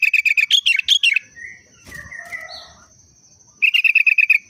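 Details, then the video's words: Kutilang, the sooty-headed bulbul, delivering its everyday trucuk-style song: a quick series of repeated chirps that rises into higher, rolling notes. A pause with soft warbles and a knock follows, then another rapid chirp run. "Burung Kutilang √ tapi hariannya Trucuk"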